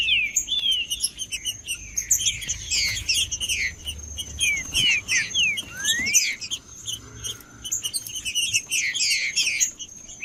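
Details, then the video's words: Trinca-ferro, the green-winged saltator, singing to stimulate a cold caged bird: rich whistled notes bending up and down in quick bursts, one long rising slur midway, backed by constant busy high chirps. "TRINCA-FERRO CANTANDO FRIO"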